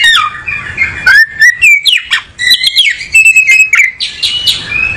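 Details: Oriental magpie-robin, a songbird from a South Asian breeder, shifting around; fluent whistled warbling with upslurs, buzzy notes and rapid clicking trills, nearly continuous over several seconds.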